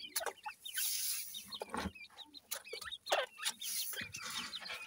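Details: Grey francolin chicks, described as hesitant to eat while feeding. Dense overlapping high, thin peeps and chirps pour out almost continuously over a hissy background.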